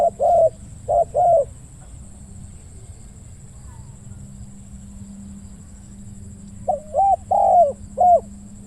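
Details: Spotted dove decoy calling during trapping, in the deep 'ku-ang' voice style. A burst of three short coos is followed by several seconds of quiet, then another run of four mellow coos, with a low background hum.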